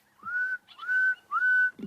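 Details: A sombre greenbul at sunrise on April 28 in African bush, amid a mixed bird party, gives three clear whistled notes, each sliding up and then holding steady, about half a second apart, with brief chatter from another bird between.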